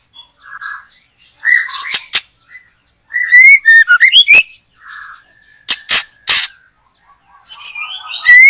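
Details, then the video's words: White-rumped shama (murai batu) during bird trapping in a backyard garden, singing loudly and steadily; rich varied phrases of clear rising whistles, rapid trills and sharp clicking notes, broken by brief quiet gaps. "Mikat Burung Murai batu,,Sudah gacor dorrr"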